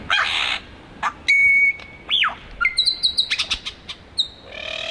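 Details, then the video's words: Male Superb Lyrebird flitting between trees while singing in Australia: a varied medley of pure whistles, sharp clicks, a falling slurred note and rapid high chips, each phrase different from the last. "He's flitting between different trees singing."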